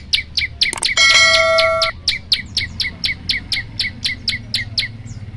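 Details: Olive-backed tailorbird, a male singing hard to call a female, repeats a piercing, downslurred note about twice a second. Early on, a brief steady tonal whine sounds behind the notes.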